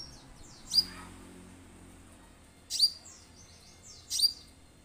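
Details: High, sharply falling notes from an orange-headed thrush, played as a lure to get birds singing immediately; three separated bursts about 1.7 seconds apart, with faint softer chirps and a low background hum.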